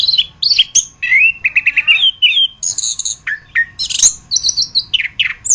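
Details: Geokichla interpres, known locally as anis kembang or punglor kembang, a popular contest and master songbird, delivers a complex medley of fluty slurred whistles, quick repeated chips and high trills, shifting pitch constantly with short gaps.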